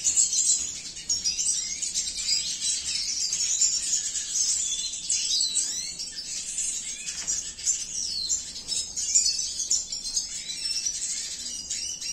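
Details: Long unbroken stretch of high, fast chattering song from a cinnamon-mutation male red siskin bred in captivity: buzzy twitters, rising and falling slurs, and tight trills, over a quiet low hum.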